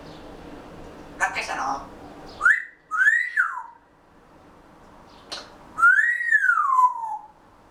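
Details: A pet grey parrot settling for a nap chatters quietly: clear, slurred whistles that rise then fall, with a few soft raspy chattering notes between them, in a quiet room.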